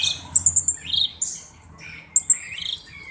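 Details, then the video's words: Black-browed reed warbler alternating very high piping notes with slurred rising and falling whistles, broken by brief pauses. "BURUNG KERAK BASI ALIS HITAM GACOR/MASTERAN KERAK BASI"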